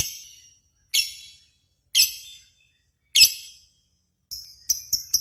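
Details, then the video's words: Lure sound from a lovebird singing-contest simulation: four shrill chirps roughly a second apart, each echoing briefly, ending in a quick cluster of thin, high repeated notes. "PANCINGAN Burung Lovebird"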